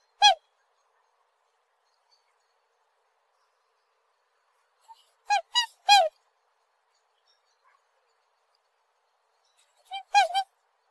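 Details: Black swan giving short, clear bugling calls, a single note then a quick group of three and a final pair, each a bright nasal toot, with long quiet gaps between.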